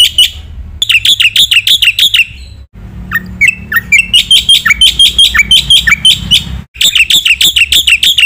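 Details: Black-winged myna training song, lively and full of varied phrases: bursts of rapid, sharp, bright repeated notes broken by short silences, with a middle stretch of lower swooping whistles and squawks; faint low hum behind.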